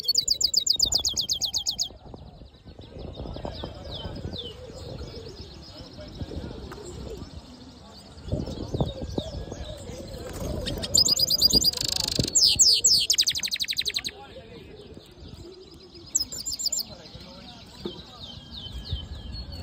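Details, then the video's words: Singing hooded siskin mule giving short bursts of fast, high, chattering trills and descending whistled slurs separated by pauses filled with low rumbling background noise. "Black HOODED yellow siskin mule | Cabecita negra CD | Carduelis singing"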